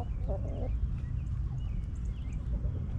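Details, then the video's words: Backyard chickens relaxing in their coop, hens clucking: one short, low, throaty cluck near the start, then faint scattered chatter over a steady low rumble of background noise. "Rooster Crowing! Hens Clucking!"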